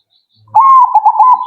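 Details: Zebra dove song meant to make listeners' doves answer right away: one loud rolling coo phrase, sliding up then holding a steady pitch, broken into quick bubbling pulses for about a second.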